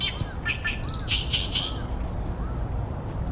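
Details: An Oriental great reed warbler (Acrocephalus arundinaceus) singing loudly on 28 May 2020 in Ashiya, Japan, hidden in a tall tree beside a reed pond where it nests each year: a harsh grating, chattering burst fading after about two seconds over low rumble.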